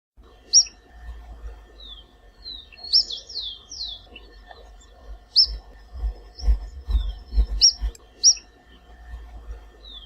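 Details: Vermilion Flycatcher, locally called Príncipe, from the Brazilian Cerrado: sparse, very high, sharp chirps and short descending slurred notes scattered across ten seconds over a faint low rumble.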